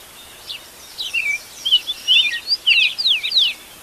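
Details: Birds singing at daybreak, recorded live in Brazilian nature: after a quiet start, a series of clear, high whistled notes sliding up and down, bunched into quick bursts that grow louder toward the end.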